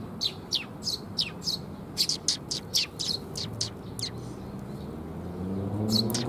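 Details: Sparrows gathering at a feeding platform to get food, recorded 7 June 2021. Quick, high, clipped chirps come in a loose run for about four seconds, then thin out while a low rumbling hum grows louder toward the end.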